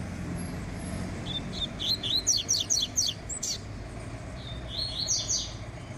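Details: Double-collared seedeater, a fiber-type bird, finishing a practice run and warming up; a fast series of high, sharp chirped notes, then a brief trill after a pause, over steady low traffic rumble.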